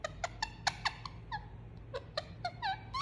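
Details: Pet Indian ringneck parakeet making soft soothing sounds during a cuddle: short bright chirps and clicks in small bursts, a quiet gap in the middle, then brief downward-sliding whistles, over a faint steady hum.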